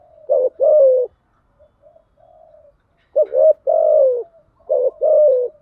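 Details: Spotted dove decoy, female, cooing to lure wild doves in Vietnam: rough, throaty coo phrases of two or three notes with a long falling coo, a soft murmured coo between them, repeated about every two seconds.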